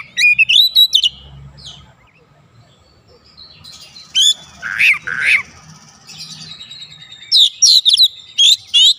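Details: Lure recording of an Oriental magpie-robin singing to spur other birds on: quick whistled phrases open, then a gap, harsh buzzy notes, and a final stretch of rapid repeated high whistles.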